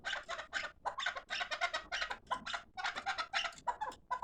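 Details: Chukar partridge of the fighting kind, calling indoors: harsh, raspy bursts in quick runs of clucking notes, separated by short gaps, with a slightly roomy echo.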